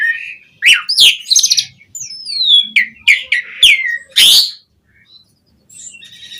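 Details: Asian pied starling singing energetically with a rich repertoire of mimicked phrases, meant to prompt other starlings to sing: a string of bright whistles, a long descending slurred note, and harsh rasping bursts, ending in quiet.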